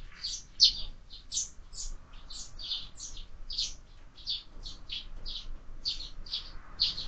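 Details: Year-round window feeder with sparrows; softer, even chirping, about two to three short tweets per second, continuing without pause, one caller slightly nearer than the rest.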